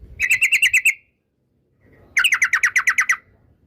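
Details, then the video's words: Yellow-vented bulbul song meant to provoke opponents: two tight, fast bursts of about eight bright, buzzy chirps each, separated by a second of silence. "Suara Trucukan bikin emosi lawan"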